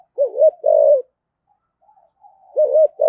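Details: A decoy spotted dove in the local-voice style gives urging coos and calling crows with a two-note ending; low, hollow coos in two close phrases, a pause, then another rolling coo phrase.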